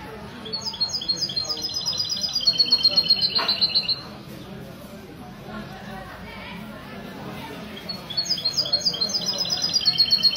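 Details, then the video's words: Goldfinch mule (mesto) singing on a Sunday morning at a café in Ksar el-Kebir, 16 February 2020. Bright, high, rapid twittering phrases come in two bursts, with a quiet pause between them. Café chatter and voices run underneath. "تغريد الميستو من جمعية لكوس للحسون الدهبي"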